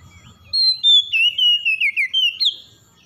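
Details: Morning song of the oriental magpie-robin, played so stressed birds recover: a long, loud whistled phrase of around nine notes, each slurring lower than the last, finishing with a clear upward-swept whistle.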